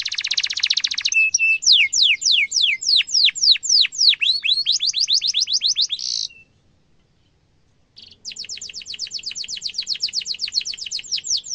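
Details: Canary singing a sharp rolling song used to tutor young birds: a buzzy opening, a string of steep descending whistled slurs, then a second of silence and a long, rapid, even trill.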